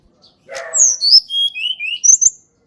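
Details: Sunda Robin (tledekan gunung) natural song, used as a lure to prompt reluctant birds to sing: a harsh rasping note, then a run of clear high whistles stepping downward, ending in quick high trills.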